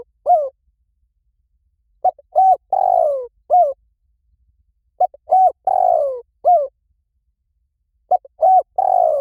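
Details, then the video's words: Spotted dove call used as a lure for trapping. Clean cooing phrases come about every three seconds, each made of two short soft coos and then a longer, drawn-out coo that falls in pitch. No other sounds are heard. "เสียงนกเขาใหญ่ หมานๆ ต่อเข้าเร็ว ป่าไหนก็เข้า"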